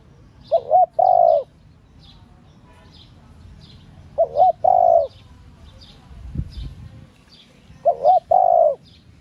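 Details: Cooing of a female spotted dove meant to stimulate male doves: three evenly spaced low phrases, every three to four seconds, each a brief quavering double note and a longer steady coo, with faint high chirps and a brief rustle.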